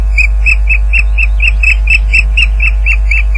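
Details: Osprey calling at its Loch Garten nest as a fish is delivered, 30 April 2010 shortly after midday, captured by the nest camera. Clear piercing chirps repeat at a steady two per second, each note short and slightly downslurred, with constant electrical hum beneath.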